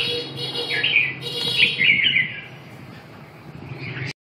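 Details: Red-whiskered bulbul with one bubbling, warbled whistled phrase in the middle, framed by a low hum and background noise, ending abruptly.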